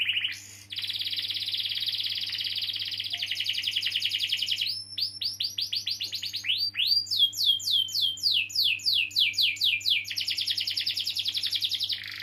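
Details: Canary singing long rolls to stimulate young or silent canaries: extended buzzy trill for several seconds, then rapid repeated sweeping notes rising and falling, returning to a steady fast roll; constant low hum in the background.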